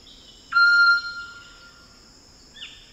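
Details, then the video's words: Wild Eclectus Parrot in rainforest in Cape York, Australia: a loud, ringing whistle starts abruptly, holds one steady pitch for about a second, then fades. A short, softer note follows near the end. A steady insect hum continues underneath. "Eclectus Parrot Sounds & Calls"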